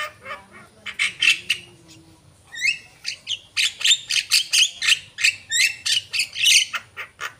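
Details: A Javan myna sings actively, starting with scattered rasping notes, then a fast steady string of harsh chacking squawks broken by a few upswept whistles, nearly four notes per second.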